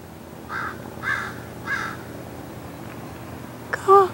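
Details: Common Raven calling at Paramount Ranch in the Santa Monica Mountains, California, on 30 January 2021: three harsh, hoarse caws about half a second apart, then a woman's voice speaking briefly.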